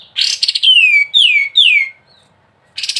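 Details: Sooty-headed bulbul (kapas tembak) in the gacor, ngebren style. A harsh buzzy burst is followed by three clear whistles, each sliding downward. After a pause, a buzzy rattle starts again.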